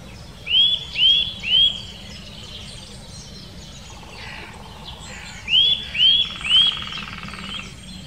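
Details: Eurasian nuthatch calling in the Wittlicher Senke, giving two bursts of three rising whistled notes about half a second apart, the bursts separated by a pause of roughly four seconds, with a faint buzz and distant birds between.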